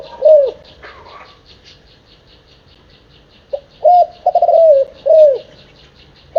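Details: Seven-month-old spotted dove cooing in a small room: a soft low coo, a flutter of wings, a pause, then a run of four or five hoarse coos in quick succession, with a faint steady ticking in the background.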